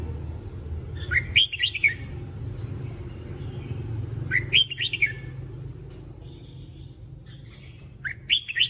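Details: Red-whiskered bulbul training song for teaching bulbuls to sing: short, bright, warbled phrases that rise and fall, repeated about every three and a half seconds, with soft chirps between them over a steady low hum.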